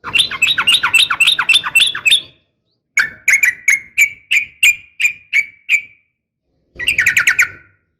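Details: Female yellow-vented bulbul calling to a male. Fast chattering bubbly phrase, then a series of about ten sharp, clicking, bright notes repeated roughly every third of a second, then another chattering burst, over a faint low hum.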